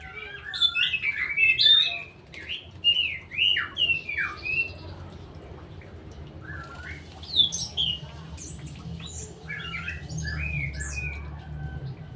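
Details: Straw-headed bulbul, a kept bird, delivering loud, liquid whistled phrases that swoop up and down in quick bubbling bursts during the first five seconds, followed by scattered sharper notes, with faint low background hum throughout.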